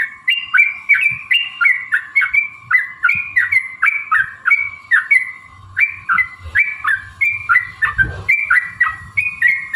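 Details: Yellow-vented bulbul song meant to provoke a bird into singing and fighting: lively two-note whistled phrases, each note stepping down then up, repeated steadily for ten seconds over a faint constant tone, with one brief low thud.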